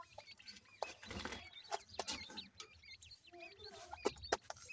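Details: Grey francolin chicks calling their mother: many thin, high peeping notes, short and hooked, tumbling over one another almost without pause, broken by loud knocks and rustling bursts.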